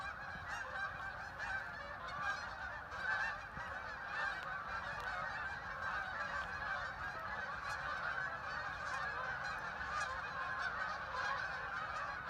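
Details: Huge flock of ducks, thousands strong, landing on the Hockanum River at a linear park in Vernon, Connecticut; a constant wall of mingled honks and quacks, with occasional louder bursts rising briefly above the roar.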